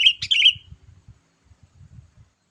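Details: One brisk, bubbly, slurred phrase from a sooty-headed bulbul used for luring wild birds, followed by soft, low knocking and handling sounds.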